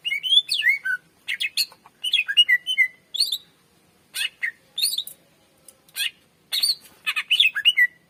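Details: Lively greater green leafbird song, played to draw in and train other birds: dense, continuous strings of rich whistles and harsh chattering notes in quick clusters, nearly without pause.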